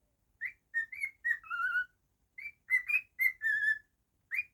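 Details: Indoor pet cockatiel whistling a quick tune: a run of short clear notes stepping up and down, ending on a longer lower drawn-out whistle, repeated twice, then a single note.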